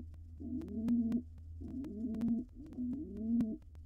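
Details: A wild male pigeon courts his mate in a nest box ahead of laying, giving three warbling, low-pitched coos that swell and fall. A low hum runs throughout and there are light tapping clicks.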